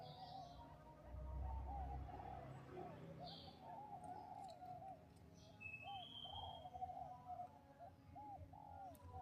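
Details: Zebra dove singing, played as a lure for other doves: a rapid, soft run of bubbling, arched cooing notes, several per second, over a low rumble, with faint higher chirps from other birds.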